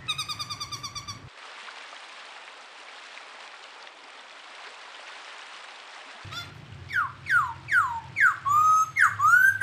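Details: Songbird from a clear master recording for training cage birds. Opens with a brief trill, then several seconds of hiss, then loud downward-sweeping whistles repeated about every half second, over a low hum.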